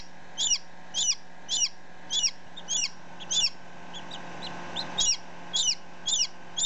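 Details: Chick just hatched, ten minutes old, close up beside a one-day-old chick: bright, high peeps in a fairly regular series, nearly two per second, with a short pause midway and a constant background hum.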